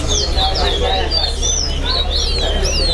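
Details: Chestnut-bellied seed finch (towa towa) singing in an all-star bird singing competition at Lusignan: rapid whistled sweeps rising and falling, closely repeated, over steady low hum and crowd murmur.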